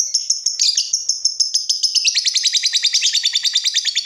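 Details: Energetic lovebird singing as a training tutor for other lovebirds: an unbroken stream of rapid shrill chattering, about three notes per second, getting denser and harsher toward the end.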